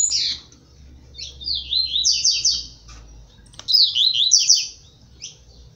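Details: Blue-black grassquit singing a strong tui tui zel zel song in seedeater style while vying with seedeaters. Opens with a short high note, then two chattering phrases of fast descending slurs, ending with a brief final note.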